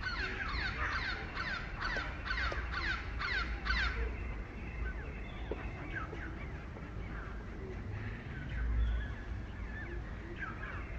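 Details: Jungle babbler (Argya striata) of the Indian subcontinent giving a rapid run of harsh, grating calls for about four seconds, then sparser fainter chatter, over a steady low rumbling background noise.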